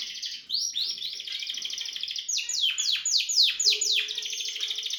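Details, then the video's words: Harz canary in song with red and variegated birds: a steady rolling trill broken by a series of quick falling slurs, with a low hum near the end. "Harz canary sings with red and variegated"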